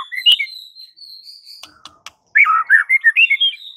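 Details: White-rumped shama masteran aimed at silent birds: thin high whistles and soft sustained tones, a short gap, then a loud run of quick, rich warbled notes jumping up and down in pitch.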